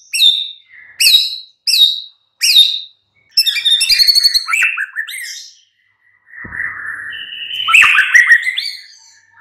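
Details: Murai batu (white-rumped shama) lure song, morning: four sharp downslurred notes about 0.7 seconds apart, then a buzzy chattering trill and a long, loud warbled whistle phrase.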